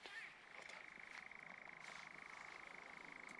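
A nightjar churrs in a steady, rapid mechanical trill that runs unbroken through the whole stretch, with faint rustling and soft background noise.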